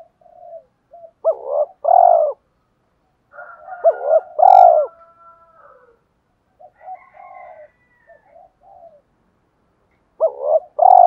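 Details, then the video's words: Spotted dove cooing to stir a decoy bird and urge fighting: loud, deep, arched coo phrases early, mid-way and at the end, with a fainter second cooing voice and soft notes between. "Tiếng chim cu gáy kích bổi/tiếng gáy gọi hai hậu vs thúc đấu/ cu gáy thúc đấu"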